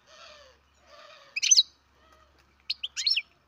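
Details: Baby captive-bred European goldfinch: two drawn-out nasal, wheezy notes followed by bursts of sharp, high chirps, set in otherwise quiet surroundings.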